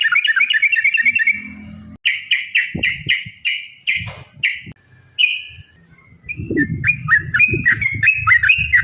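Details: Yellow-vented bulbul (trucukan) giving its long rapid 'ropel panjang' song, used as a lure to make other bulbuls sing: a bubbly run of quick notes, then separate chirpy phrases, a short pause, and more rapid notes over low rumbling noise.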